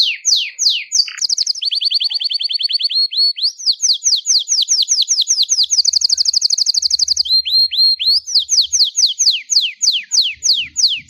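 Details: Continuous Belgian canary song for stimulating canaries and training fledglings: rapid repeated falling notes, fast rolling trills and a high steady trill, switching phrases every few seconds, faint low hum underneath.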